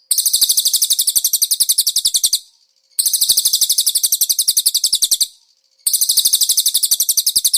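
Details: Training master of a konin using cililin fill-ins: three sustained bursts of very fast, shrill pulsed notes, each lasting roughly two seconds, separated by short silent breaks.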